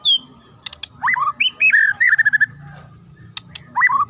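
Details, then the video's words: Fighter murai batu, the white-rumped shama, opens with a high whistle, then pours out a sharp, clear phrase of slurred whistles ending in rapid repeated notes, resuming with a dipping whistle after clicks. "AKSI MURAI FIGHTER 2 LENGKINGAN SUARA TAJAM & JERNIH"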